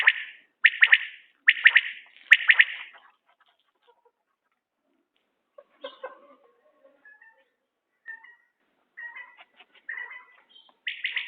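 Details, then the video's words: Common quail, linked to quail hunting, giving a series of short, clipped, bright notes in quick repeated bursts, followed by a stretch of faint scattered chirps and clicks and a final burst of calling. "بٹیر کی عمدہ بولیاں || بٹیرکا شکار #common quail voice"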